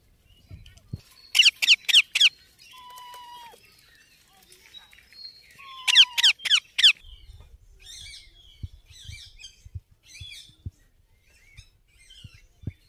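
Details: Young Indian ringneck parakeet calling in two short bursts of three to four grating squawks, with a thin steady whistle between them and scattered soft squeaks and tapping afterward.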